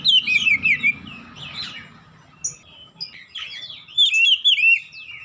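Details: Quick, looping whistled phrases from an Oriental magpie-robin (kacer), a run at the start and another near the end, with a low background murmur.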